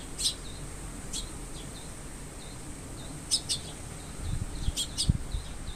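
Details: Young Eurasian tree sparrow calling with a parent waiting close by, August 2022: sharp, high chirps in short clusters, repeated about once a second with brief pauses, with faint low thumps near the end.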